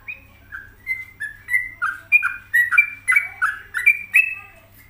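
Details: A yellow-vented bulbul (Pycnonotus goiavier) sings a lively run of bubbling, liquid whistles, about a dozen short notes rising and falling over five seconds, with a faint low hum behind.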